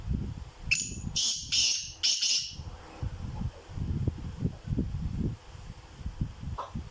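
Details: Captive black francolin, a Sindhi kala teetar, calling: a quick series of harsh, rasping high syllables during the first two and a half seconds, then heavy low rumbling noise with a faint call near the end.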